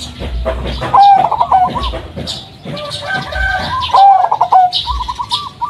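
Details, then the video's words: A local zebra dove of the striped "blorok madu" type, used as a lure to set other doves calling, gives two soft, mellow, deep cooing phrases of rolling, slightly bubbling notes about three seconds apart, over faint hiss. "pancingan suara perkutut BLOROK MADU,.suara pulen lain dari yang lain."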